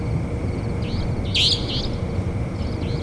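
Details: Savanna nightjar uttering one loud, grating upward-sweeping note flanked by softer similar notes, set against a continuous high whine and deep background rumble.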